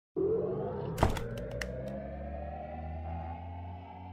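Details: A sustained low droning tone with steady harmonics, broken near the start by a sharp knock, with no animal voice heard.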